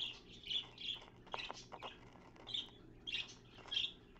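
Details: Budgerigar busy cleaning out its nest box, seen through a mirror, dated 3.11.15: a run of about eight bright, high chirps spaced roughly half a second apart, mixed with light tapping and rustling from the box.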